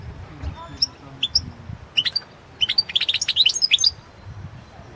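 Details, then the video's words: European goldfinch from the 2016 World Championship in Goldfinch Song, opening with sparse single chirps then breaking into a quick tumbling twitter of high liquid notes, with low rumble underneath. "Pesma štiglića 008/ 2016 Aleksandar Denčić World championship in Goldfinch Song 2016"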